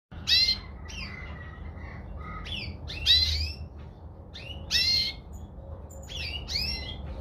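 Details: A red mosaic canary gives bright, high chirps and quick swooping notes in short bursts about every second and a half, over a low steady hum.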